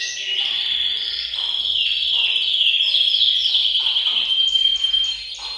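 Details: Canaries chorusing in a bird room to spur males to sing and ready females: a loud, unbroken high rolling trill with quick chirps and short whistled phrases layered over it.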